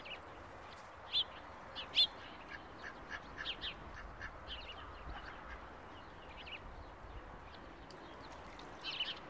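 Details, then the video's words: July ducklings peeping: short, high, rising notes, the loudest pair early on, then softer scattered peeps about once a second against low background noise. "Июльские утята"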